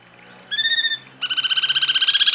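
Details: Cungkok on a masteran tutoring track: a clear, ringing, harmonic trill of half a second, a brief gap, then a louder, fast, pulsing buzzy trill that grows stronger to the end.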